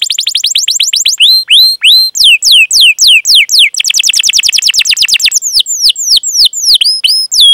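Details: Canary song with rapid, tight chirping and rolling trills, played to prompt young canaries to sing: dense runs of high, sharply sweeping whistled notes, then slower spaced falling slurs, all clean with no background noise.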